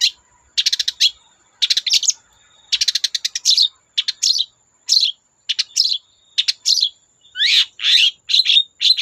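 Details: Long-tailed shrike in full song, used to get other shrikes to sing along: quick stuttering trills in bursts about a second apart, later sliding whistled notes swooping down and up.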